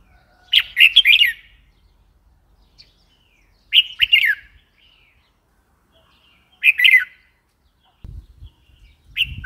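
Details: Red-whiskered bulbul repeating a short bubbly phrase of quick warbled notes roughly every three seconds, with quiet pauses and some low knocking noise near the end.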